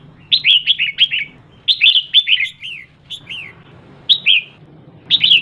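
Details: Red-whiskered bulbul hen calling to rouse male birds: clusters of sweet whistled notes that slide downward, delivered in quick groups of three or four, then single phrases after longer pauses, over a low constant hum.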